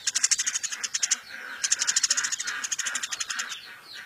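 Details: Eurasian tree sparrow, a captured bird being tamed and kept as a tutor for magpie robins and other songbirds. It gives rapid, rattling, high-pitched chirps in fast bursts, pausing briefly between runs.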